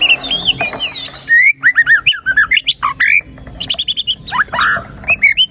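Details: White-rumped shama song aimed at getting a quiet bird singing: fast varied phrases of looping whistles, sharp chips and buzzy trills, repeated in energetic bursts.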